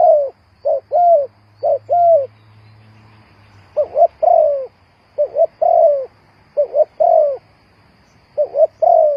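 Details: Spotted dove cooing as a lure for bird trapping, many repeated phrases of quick doubled notes and longer falling coos, steady and mellow, over a faint low hum.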